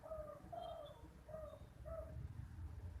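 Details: Spotted dove (derkuku) in 'kuk 2' style: four clear, low, hollow coos, the second longer and fuller, evenly spaced over three seconds, with a soft low hum behind.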